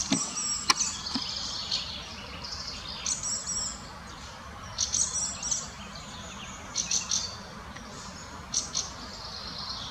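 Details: Fieldfares, a parent and a juvenile, in Munich's Botanical Garden give harsh, dry chattering bursts every second or two, with thin high notes mixed in, over a steady rustle of wind.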